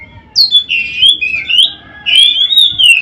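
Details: Captive white-rumped shama song used for tutoring other shamas: clear, rich, sliding whistles in long drawn phrases, with a brief quiet gap between two of them.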